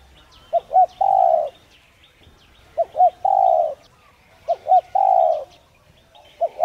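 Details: Spotted dove coo used to stimulate other doves to coo, in the thổ đồng voice style: two short rising notes then a long steady coo, repeated about every two seconds, with faint chirps of other birds above.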